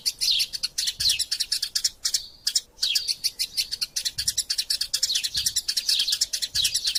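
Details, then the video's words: Eurasian tree sparrow fighting, loud and vocal, used as a master recording: bursts of sharp high tweets and dropping chirps in quick succession, one brief silence, and faint low thumps. "Burung Gereja Tarung Gacor Passer Montanus passeridae Eurasian Tree Sparrow erasia suara masteran"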